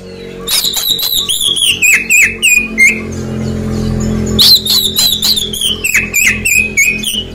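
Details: Oriental magpie-robin singing, used as a lure to make newly moulted birds respond quickly. Two rapid runs of sharp whistled notes step downward, each run ending in a lower warble, over a steady low background hum.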